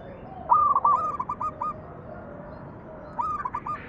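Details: Zebra dove song used as a lure for other doves: two rolling phrases of quick, slightly slurred cooing notes, the first longer, with low background hum and a faint answering coo.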